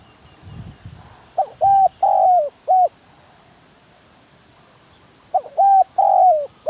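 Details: Red-eyed spotted dove kept as a decoy bird for trapping, cooing in two phrases of three to four low, hollow notes, each ending in a longer drawn-out croon, with a brief rustle before the first phrase.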